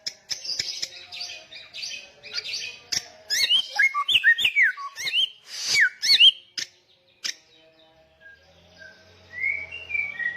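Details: Samyong songbird in loud song: buzzy high chatter, then a dense phrase of sliding whistles and sharp clicks, before fading to a few soft distant whistles.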